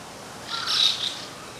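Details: White-cheeked starling, possibly a young bird (juveniles present), in a mountain-stream garden in Aoba-no-Mori Park on 10 June 2015, gives a single harsh, scratchy, high-pitched call about half a second long over faint background hiss.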